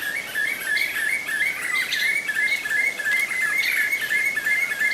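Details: Black-fronted nunbird at Pirenópolis, Goiás, Brazil: a continuous, loud chattering chorus of rapid, rollicking notes, about three per second, with brighter, sharper accents scattered throughout.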